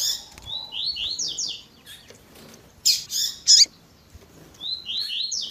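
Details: Double-collared seedeater 'tui tui zel zel' song with female calls to stimulate males: series of clear rising slurred whistles, two loud harsh buzzy bursts midway, then the whistled series returns.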